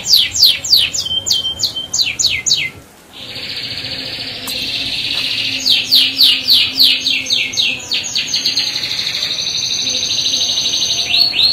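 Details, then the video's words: Canary bait song with rolls, meant to make other canaries sing: rapid descending whistled sweeps, a brief pause, then long sustained buzzing rolls alternating with bursts of fast repeated downward notes. "Pancingan Kenari Gacor Dor Ngeroll"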